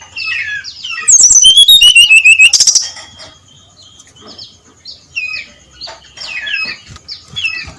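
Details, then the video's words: Brown-chested jungle flycatcher singing 'ngeplong' at first light: low soft warbles, a loud rapid series of clear whistles dropping in pitch, then sparse quieter chirps. "SUARA SRDC NGEPLONG PAGI BUTA"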